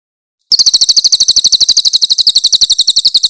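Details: Grey-headed canary-flycatcher, recorded as training material for songbirds, bursts into a harsh, very high, rapidly pulsed trill that continues steadily for about three seconds.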